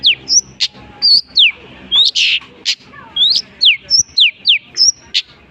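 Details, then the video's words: Long-tailed shrike (cendet) mimicking other birds: rapid, evenly paced clear whistled notes, many sharply falling, mixed with short harsh scratchy bursts, about three notes per second. "burung cendet bisa menirukan jenis burung apapun"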